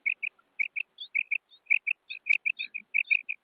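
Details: Female quail (batair) calling: short, sharp chirped notes repeated in quick irregular bursts, with thinner, higher slurred notes mixed in between and silence in the gaps.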